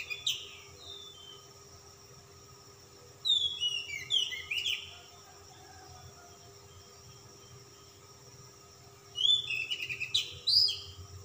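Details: Oriental magpie-robin of the calm type in persistent, richly filled song: brief whistles at the start, then two clusters of rapid sharp chirps and downslurred whistles a few seconds apart, over a faint constant hum.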